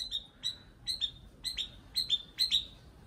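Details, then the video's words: Nightingale singing: short bright chirping notes, often doubled, repeated about twice a second at a steady high pitch, with a quiet background. "Nightingale Song"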